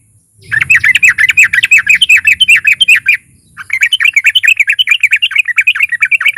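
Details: A sooty-headed bulbul sings loudly and aggressively as a lure for other bulbuls. Two long strings of rapid, bubbly notes are split by a brief pause.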